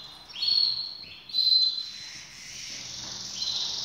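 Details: Pet canaries ready to breed; two rising whistled phrases followed by a longer, hissing, buzzy passage, fairly quiet against low background noise.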